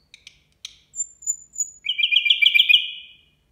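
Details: Nightingale singing at New Year: a few sharp clicks, then high thin whistles, ending in a loud, fast rattling trill of repeated notes.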